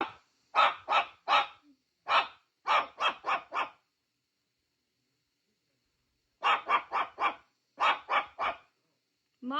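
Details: Pet parrot imitating a dog's bark: quick clusters of harsh, bark-like yelps, three to five in a run, a silent gap, then more barking bursts. A woman then tells the bird it is not a dog.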